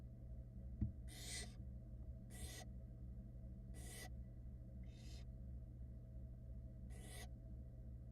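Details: Barn owl chicks in a Florida nest box, filmed by a nest camera in early 2022, reacting to their wet mother as she tries to dry off. Five harsh, hissing screeches, each about half a second, come at irregular gaps over a steady low hum.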